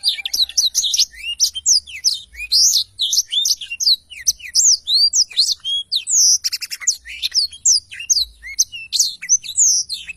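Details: Vigorous black-throated canary song meant for training songbirds: a long, rapid medley of shrill chirps, rising and falling whistles and fast trills with barely any pause.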